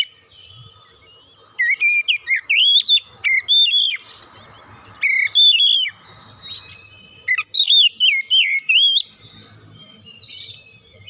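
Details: Oriental magpie-robin singing as a lure for other birds: several bursts of loud, looping whistled phrases separated by brief pauses, with soft scratchy notes at the end.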